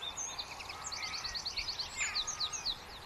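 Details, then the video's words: Bird chirping: a fast, even series of high, bright notes, about a dozen in a row, with scattered thinner twitters and faint background hiss. "Birds Chirping"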